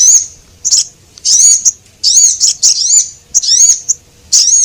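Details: Lure recording of male and female Javan munias, meant to draw in small birds. Shrill, wavering high notes crowd together in quick runs, some doubled, with brief sharp ticks between the runs.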